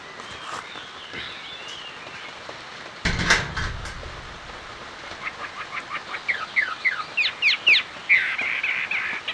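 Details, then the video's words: Chinese hwamei singing in the 'hót xòe' style; after a sharp knock near three seconds comes a quickening run of bright, rising whistled notes that closes in a dense warbling flourish over a faint background hiss. "Họa mi hót xòe"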